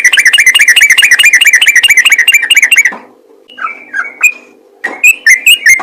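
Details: Yellow-vented bulbul calling out to other bulbuls: a rapid rattle of chirped notes for three seconds, then silence, then a few separate slurred whistles and a short final chirping run.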